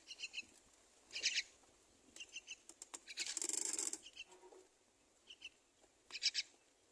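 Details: Two myna chicks on the nest being fed by their mother, giving short bursts of high, harsh, scratchy calls in clusters, with quiet gaps and faint clicks between them.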